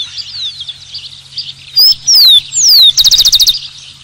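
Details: Rufous-collared sparrow: three loud, pure whistles, each sliding downward, followed by a crisp trill of about eight fast notes, over a faint background chorus of thin chirps from other birds.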